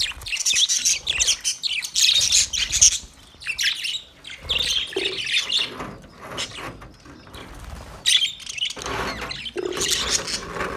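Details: Chirping male budgies, dense scratchy warbles and squawks in uneven bursts, with a quieter middle stretch and louder chatter returning near the end.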